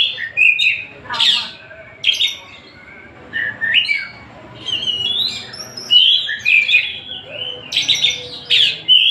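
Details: Song of a Tasik oriental magpie-robin, delivered in separate bursts: sharp whistles, chattering buzzy clusters and sweeping slurred notes, with short pauses between phrases.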